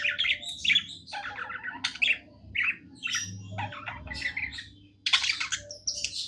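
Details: Budgerigar kept as a pet, singing happily with chattering bursts of buzzy chirps, squeaks and clicks, each phrase separated by short gaps, with a low hum in the background.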